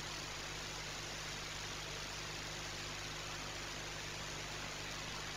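Steady broadband hiss with a low electrical hum runs throughout, with no animal voice.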